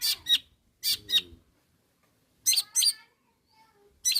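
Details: Long-tailed shrike calling rivals: paired harsh broadband chattering bursts, two at the start, two near one second and two around two and a half seconds, with quiet gaps between.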